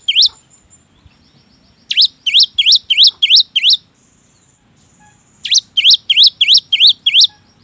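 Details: Cinereous tit song used to stimulate reluctant birds into singing: one opening note, a run of five bright upslurred whistles, a pause, then another run of seven.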